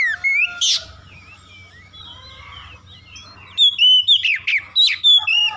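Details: Provocation song of an oriental magpie-robin, meant to trigger aggressive singing: a loud whistled opening, a quiet middle of soft, scattered notes, then a fast series of sharp, ringing whistles.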